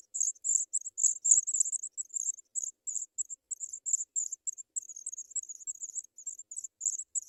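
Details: Shrill, rapid begging of African pipit nestlings fed white butterflies by their parents: tight high chirps in quick runs, about three bursts a second, with a clean background.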